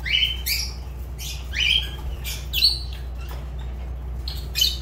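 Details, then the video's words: Fischer's lovebird gives high, sharp squeaky chirps, each a quick upward-sweeping note, scattered every second or so with brief gaps, over a faint low background hum. "Lovebird Agapornis Fischer sounds"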